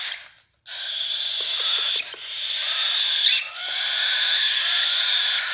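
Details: Hand-fed baby cockatiel giving a steady, wheezy rasping begging sound, briefly silent near the start, then sustained with small dips and faint clicks.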